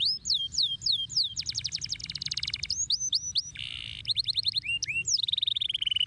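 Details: Canary in full song: repeated looping whistled notes, dense rattling trills, a brief harsh buzzy section, then rising slurred whistles and a fast closing trill.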